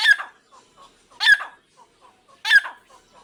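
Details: A pair of partridges, known locally as Irani teetar, giving loud harsh calls, each opening with a sharp descending note, repeated three times at intervals of about one and a quarter seconds, with soft chirps between calls.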